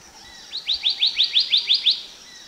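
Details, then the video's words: Black-naped monarch lure song: a rapid run of eight sharp, ringing, upward-flicked whistles at a steady pace, bright and clean over a quiet forest background. "Chim đớp ruồi gáy đen mồi hót"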